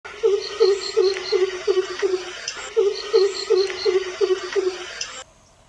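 Greater coucal giving deep, hollow hoots in two quick runs of about six notes, with a steady high insect buzz behind.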